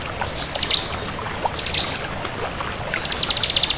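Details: Bar-winged prinia of the 'kristal' type singing actively: scattered sharp high chips and short squeaky notes, then a fast rattling high trill at the end.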